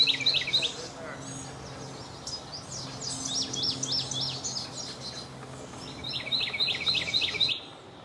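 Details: Carolina wren singing loudly in a Missouri park: rolling phrases, each a quick repeated set of ringing whistled notes, in three bursts; faint talking and a low hum underneath.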